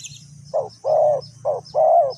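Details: Spotted dove used for decoy trapping in Ninh Thuận: a short coo followed by a longer, even, hollow note, repeated twice in quick succession over a low rumbling background.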